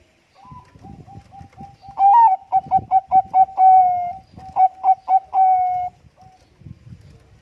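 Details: Bangkok-type zebra dove (perkutut bangkok), described as a loud, actively singing bird, used as a lure to make other birds answer. A soft lead-in, then a mellow rising coo, a rapid run of short clipped notes and long held notes. Faint low rumble before and after.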